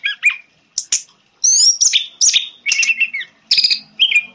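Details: Orange-headed thrush song used as lure audio to prompt a silent caged bird to sing: quick bursts of varied high chirps and whistled notes, some rising, others falling slurs, in short phrases separated by brief pauses.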